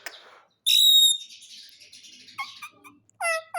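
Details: Happy pet parrot giving a loud, steady high whistle held about half a second, then quieter chatter and a final sharp harmonic squawk.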